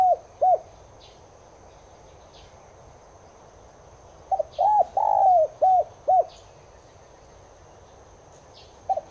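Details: Spotted dove, subspecies tigrina, recorded as a lure to make caged doves coo along. Two short hooked coos open. Later comes a phrase of several hooked notes around a longer drawn-out coo, then one more coo. Faint ticks sound in the background.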